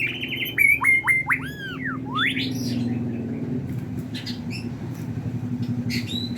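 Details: White-rumped shama from Medan singing in the sujud style, used as a lure for training birds: sharp whistled notes and looping sweeps over about two seconds, then scattered chirps over a steady engine-like drone.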